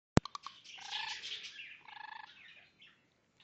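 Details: Pet Goldie's lorikeet courting its owner's hand indoors, making purring, sneezing and clucking sounds: sharp clicks, then a buzzy harmonic purr and a pulsed churring burst.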